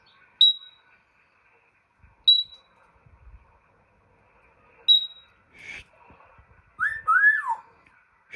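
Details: Pet African grey parrot making funny mimicked sounds: three sharp high clicking pops spaced about two seconds apart, then a short buzzy burst and looping squealed whistles sweeping up and down near the end.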